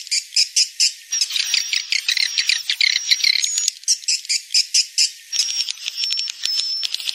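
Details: Swiftlet call with wing flapping, used to lure swiftlets: evenly pulsed high chirps about three per second, then stretches of denser twittering with a thin sustained high whistle.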